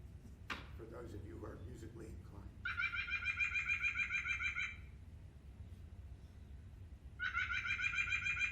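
White-breasted Nuthatch giving nasal, kazoo-like notes in two rapid bursts of about three per second. A brief voice comes just before, over low room hum.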